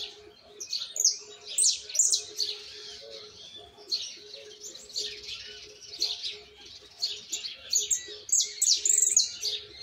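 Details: Young Argentine white jilguero, a fledgling practising misisipi-style song that still needs correcting: bursts of high, fast chirps and trills, quiet gaps between phrases, over a steady low electrical hum.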